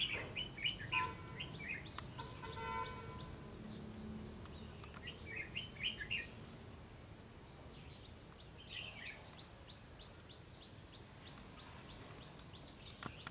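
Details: Red-whiskered bulbul, a fast-singing bird, calling from a treetop and a rooftop; bursts of short chirpy warbled phrases in the first seven seconds, then fainter scattered chirps with background noise.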